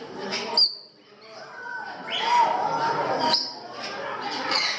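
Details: Parrots at a parrot house in Gdańsk, Poland, give harsh, raspy squawks in bursts, with a few brief thin whistles; voices and the echo of a large indoor room are heard in the background.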